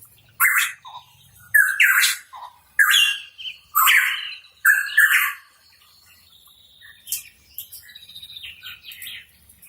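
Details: Hooded pitohui (cucak rawa papua) in active song: five loud, raspy notes, each with a brief tonal onset, given roughly once a second, then a softer run of thin twittering notes.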